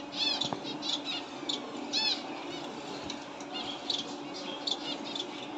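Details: Finches chirping: a busy stream of short, bright, high chirps and twitters, some with stacked overtones, overlapping from several birds, over a steady low hum and background hiss.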